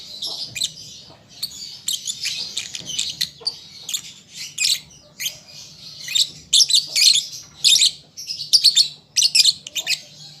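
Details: Young lovebird learning to sing, a busy, scratchy stream of high squeaks and chirps that thickens into dense rapid chatter in the second half, barely pausing.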